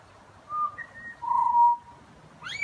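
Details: Butcherbird phrase of soft, clean whistles: a low note, a higher steady note, then a fuller low held tone, ending with a quick rising slur.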